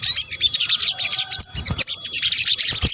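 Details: Sunbird calls in a combined lure recording for attracting birds: dense, high, thin twittering with quick chirps and short rising whistles, almost continuous for three seconds, with a few soft low thumps.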